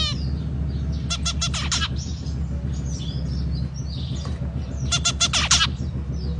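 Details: Zebra finch singing: two short bursts of rapid, buzzy, nasal stacked notes about four seconds apart, over a steady low hum throughout.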